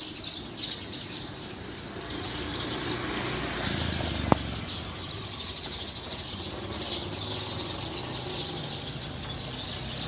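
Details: Wild Eurasian tree sparrows settling into a tree to roost, a dense chorus of high, overlapping chirps and twitters running continuously, with a low rumble of traffic beneath and one sharp click midway.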